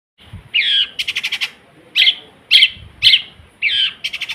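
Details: Long-tailed shrike in gacor song, noted for imitating other sounds: harsh rasping notes alternate with rapid runs of short clicking pulses, each phrase about half a second apart.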